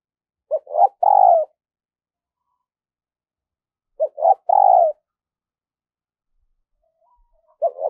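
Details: Good-voiced decoy spotted dove cooing during daily training for luring wild doves: two phrases spaced by about three seconds of silence, each quick soft notes running into a long falling coo, a third phrase just beginning.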